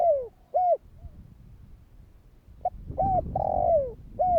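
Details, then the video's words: Spotted dove giving kích bổi calls meant to prompt other doves to answer: a clipped coo, a rising-falling coo, then after a pause a short note, two coos, a long drawn slurring downward note and a closing coo. Faint low rumble beneath. "Chim cu gáy Thúc kích bổi , Tiếng cu gáy Thúc hay ,tiếng chim cu gáy kích bổi"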